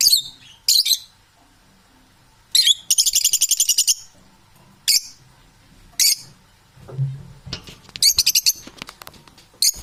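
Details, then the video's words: Domestic parrots squawking in short shrill bursts, with a rattling pulsed trill near the middle, more brief harsh calls and a low murmur in the background. "Unbalanced domestic Parrots"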